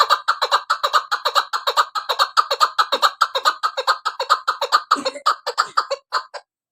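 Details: Hunting female chukar partridge giving a rhythmic run of hoarse, clucking chuk notes at a quick even pace, turning more ragged and scratchy toward the end before stopping.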